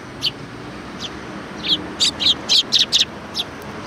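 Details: Several sparrows welcoming visitors at a Tenmangu shrine, Japan, give bright, high chirps. They start sparse and then run into a fast string of about eight loud tweets, above a low steady rumble.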